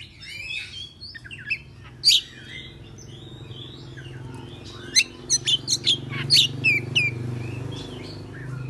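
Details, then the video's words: Oriental magpie-robin singing in the morning, agitated, tail spread: scattered quieter whistles early, then a dense quickening string of loud sharp rising notes, with a low steady hum behind. "Pancingan Kacer Bikin Emosi Agar Kacer Gacor ! Buka Ekor Ngobra - Suara Murai Cacing"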